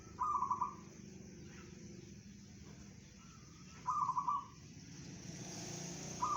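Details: Local zebra dove in bedah karang song style, delivering short, rattling, trilled coos roughly every three and a half seconds, separated by quiet pauses over a constant low hiss.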